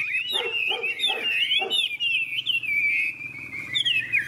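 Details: Golden Hwamei with a big tail sings competitively: several harsh chattering bursts, then a long stream of sweet whistled warbling gliding downward.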